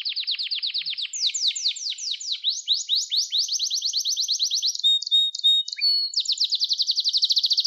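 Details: Training song of a canary for young birds learning to sing: continuous high rapid trills shifting through several tours of repeated notes, with a short burst of varied chips midway before another fast ringing roll.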